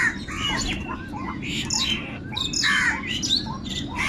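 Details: Angry crows fighting for food give harsh, hoarse caws in quick overlapping bursts, several calls a second, with a few thinner chirps mixed in over a steady background rumble.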